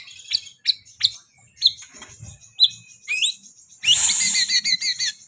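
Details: White-rumped shama giving a varied phrase of sharp, high chips and short rising whistles, ending in a loud, dense burst of harsh scratchy notes followed by quick clipped chips.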